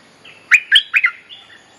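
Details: A bulbul gives a short phrase of four lively, bubbly chirps, part of a mating-call lure used for training young birds, ending in a soft trailing note.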